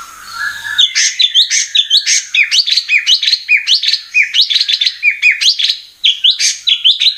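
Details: Oriental magpie-robin delivering a fast, unbroken stream of high, sharp chirps and short whistled notes, about five per second, varied and energetic throughout.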